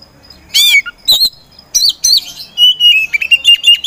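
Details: Caged Oriental magpie-robin kept as a competition songbird, singing in loud separate bursts: sharp downslurred whistles and buzzy notes, then a run of quick high whistled phrases near the end.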